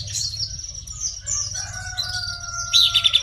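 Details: Buff-breasted babbler song of high, thin whistles and twittering notes over a steady low hum, with a faint sustained tone in the middle and a sharp chattering burst near the end.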